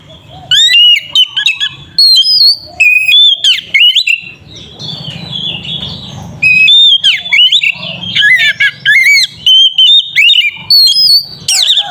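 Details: Oriental magpie-robin, a kacer singing ngeplong to provoke other birds, delivers long strings of loud varied whistles, sharp slides and rapid warbles, with a low hum audible during a softer middle stretch.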